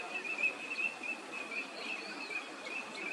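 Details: Several wintering Eurasian teal (Anas crecca) on a park pond at Junsai-ike green space, Chiba, in February 2024, give a steady stream of short, high, piping whistles over a hiss of background noise.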